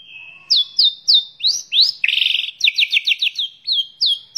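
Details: White-rumped shama singing in a lively, varied training recording for other birds: loud whistled notes sweeping down, a buzzy trill at two seconds, then a quick run of repeated slurred notes and more downslurred whistles.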